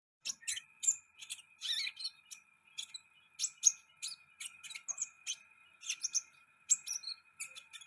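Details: Sunbird song: rapid, high-pitched chirps and thin twitters in short bursts across the clip, with a steady faint high tone running underneath.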